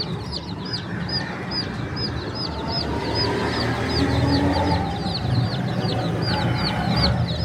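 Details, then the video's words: Many chicks peep together at a bird market in Pakistan, with high, bright, down-slurred cheeps about three a second over a steady low rumble of background noise. "Beautiful Chirping Sounds of Cute and Funny Chicks"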